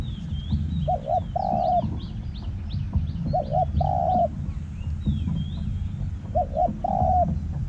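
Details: Spotted dove decoy in Thai forest calling, three repeated phrases of paired short coos and a sustained coo, with chirping small birds and rumbling low background noise.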